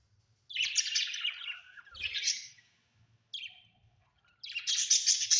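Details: Budgerigars kept at home: bursts of bright, scratchy chirping and warbling chatter in four separate phrases, each lasting about half a second to a second, with short silences between and faint low rumbling underneath.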